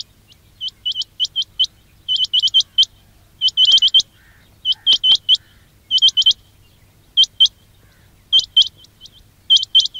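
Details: Quail calling sound used to attract quails for trapping: bursts of two to four sharp, rising, high-pitched chirps, repeated in clusters throughout, with brief quiet gaps and a faint low background hum.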